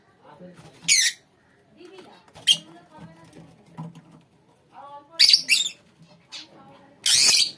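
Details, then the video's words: A lovebird colony calling: loud, harsh, high screeches come in four bursts a second or two apart, with softer low chatter between them. "lovebirds colony"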